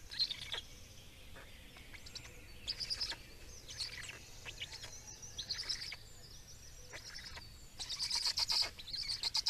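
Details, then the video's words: Black storks in Estonia at feeding, 17 May 2019: scattered scratchy high calls at first, growing into a louder, rapid burst of hissing calls near the end, over a low hum. "Estonian Black Storks - Feeding"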